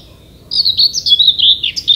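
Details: Common whitethroat from Denmark in summer scrub: a single quick, chattering, high-pitched scratchy phrase of rapid jerky notes lasting about a second and a half, starting after a brief quiet moment.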